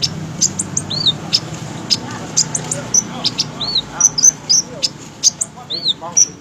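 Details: Olive-backed sunbird kept as a fighter bird, singing sharp, high, thin chirps and short upward-arched whistled notes in quick, irregular bursts, with a faint low hum underneath.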